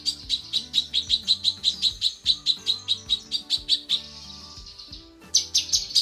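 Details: Tutor recording of a female cucak kinoi calling for the male: a fast regular run of sharp chirps, then a softer hissing stretch and a final burst of shrill notes, with background music.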